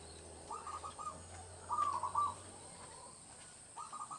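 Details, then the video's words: Local zebra dove in a countryside village, its song meant as a trapping lure; several short phrases of quick, purring coo notes in a soft rhythm, some louder than others, with a low hum and faint background sounds. "PERKUTUT LOKAL GACOR UNTUK PANCINGAN SUARA PIKAT"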